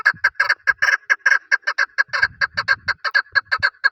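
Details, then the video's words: Male chukar partridge, used for hunting, giving a fast run of harsh, clucking chuk notes, about two per second or faster, uneven in spacing and loudness, with faint low rumble beneath. "Paritrighe best sound for hunting | chakor voice"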